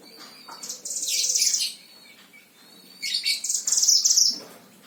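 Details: Caged oriental white-eye from Sragen, Central Java, Indonesia, used as a singing master: two dense bursts of shrill, high twittering notes about two seconds apart, separated by quiet.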